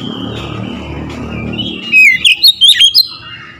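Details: Oriental magpie-robin in loud, full song, used to provoke other magpie-robins. A low hum fills the first half, then a quick run of sharp, high whistled notes rises and falls near the end.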